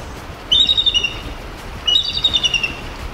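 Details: Bald eagle's real call, unlike the movie "eagle scream", which is actually a red-tailed hawk: two bursts of thin, high, chattering piping notes, each a rapid stuttering series lasting about a second, with a quiet background.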